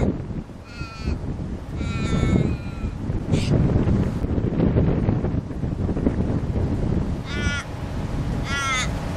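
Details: White cockatoo, also called umbrella cockatoo: several short, grating screeches, some drawn out, scattered across the recording over heavy low rumbling wind noise.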